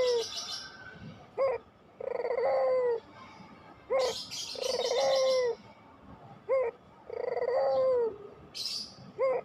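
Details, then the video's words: Barbary dove, pelung type, repeating a paired phrase about every two to three seconds: a quick rising note, then a long steady coo. High chirps from other birds sound between the phrases. "masteran puter pelung"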